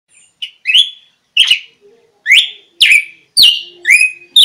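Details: Red-cowled cardinal song used as a lure to draw wild birds closer: a series of slurred whistled notes, each rising then levelling off, delivered roughly twice per second with brief gaps.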